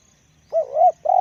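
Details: Deep-voiced spotted dove kept as a decoy bird gives a soft, low coo: a wavering, swelling note followed by a steady held tone, recorded close with little background sound.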